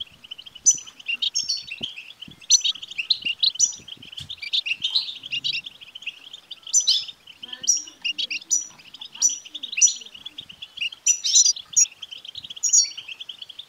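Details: European goldfinch song meant to get a male goldfinch singing nonstop in his cage; an unbroken stream of quick liquid twitters and buzzy trills punctuated by ringing high notes, with soft low rustles in the background.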